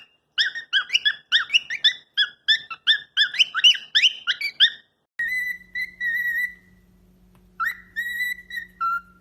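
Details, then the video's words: A pet parrot gives a rapid string of harsh, chattering syllables, roughly a dozen in quick succession. It then switches to long, bright whistled notes and a short falling whistle, with a steady electrical hum behind. "Parrot Talking Videos Compilation"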